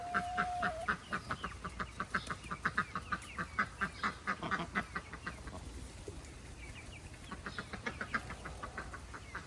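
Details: Chickens being let out on a farm in July, with a rapid run of short clucks and calls repeating about twice a second, a long whistled tone at the start, and other fowl calling in the background.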